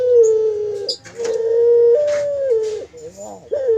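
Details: Captive barbary dove at a bird farm, 'mendengkur' cooing: a smooth held hum that steps up slightly in pitch partway through, followed by a brief wavering roll and a final short coo.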